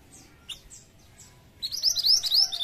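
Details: Pied triller song used as a lure for other birds: a few faint high descending whistles, then a loud, rapid run of sharp rising whistled notes repeated several times a second near the end.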